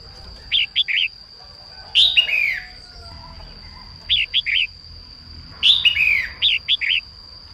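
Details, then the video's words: Female red-whiskered bulbul in morning song meant to stimulate males: groups of three short rising chirps alternate with longer bubbly phrases that slide downward, roughly every two seconds, above a faint continuous high tone. "Chim chào mào mái hót sáng kích bổi nhanh ra giọng"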